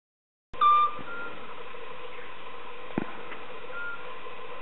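A Eurasian scops owl gives a single short, pure whistled note at mid pitch, followed by steady background hiss and a faint click.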